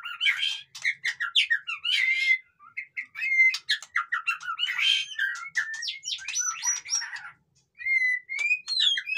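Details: Noisy white-rumped shama song mixing raspy chattering bursts with clear whistles, rising slurred notes and a few high pure tones, in rapid bursts with brief silences.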